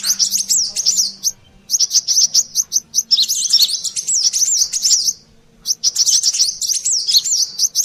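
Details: Lure recording of a brown-throated sunbird (kolibri klapa, sogon) in agitated, noisy mode: rapid, sharp, high twittering phrases with brief pauses between, and a soft low hum beneath.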